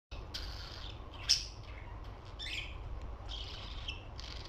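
Young budgerigars give soft, scratchy chirps and short squeaky bursts over a low background rumble.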